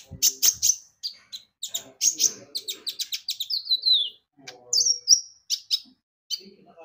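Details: Javan white-eye (konin) lure recording used to prompt singing: lively, high chirped phrases with a long descending whistle and scattered quick notes.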